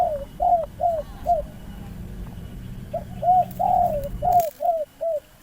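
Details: Local spotted dove, quickly caught by a lure trap at Libaas, with a medium-pitched voice: short hooked coos in quick bursts, a pause, then another run of rapid notes, over a steady low rumbling hum.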